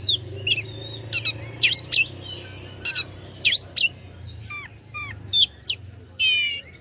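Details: Oriental magpie-robin singing to stir up rival birds: spaced bursts of sharp whistled upsweeps and falling slurs, ending in a rapid buzzy trill, over a faint low hum.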